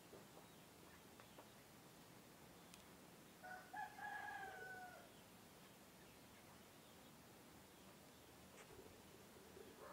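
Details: A rooster, a male egg-laying breed chicken, crowing; its crow marks that morning has begun. One drawn-out harmonic crow of about one and a half seconds mid-clip, then faint background with occasional soft clicks.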